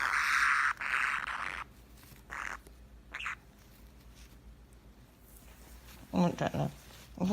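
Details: A pet budgerigar, which its owner calls mad, gives strange harsh, hissing, mechanical-sounding bursts, with a person speaking Spanish near the end.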